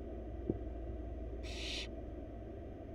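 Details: Nest-box barn owl chick, one of four wild young being fed rabbit by the female: a single short, breathy screech-hiss lasting under half a second, a faint tap beforehand, low continuous hum throughout.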